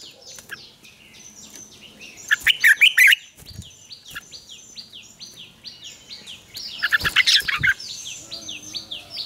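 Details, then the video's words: Red-whiskered bulbul singing in the morning, a mature wild-style double-note song used as a lure to train other bulbuls: two loud, rich, warbled bursts of rapid notes, over steady repeated descending chirps from other birds. "luyện chào mào hót sáng, Ép chào mào hót âm kép già rừng hay tuyệt!"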